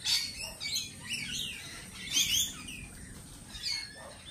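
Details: Lorikeets giving scattered high, sharp chirps and short squeaky notes, with a brighter cluster just past two seconds, over quiet low background noise.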